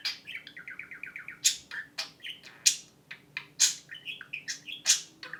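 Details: Pet budgerigar imitating a phone ring, giving a quick run of short repeated chirping notes followed by sharp high bursts and warbled chatter.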